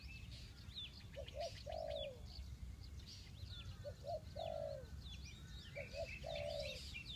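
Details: Spotted dove used for bird trapping in Ninh Thuận, giving low mellow coos: two quick short notes, then a longer sliding coo, three phrases spaced a few seconds apart, over steady chirping and twittering of other birds.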